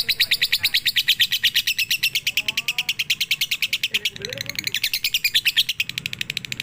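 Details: Lovebird singing a sustained 'pigter' chatter from a night-time training recording: rapid shrill chirps run on without a pause, with a few faint lower twittering notes briefly in the background.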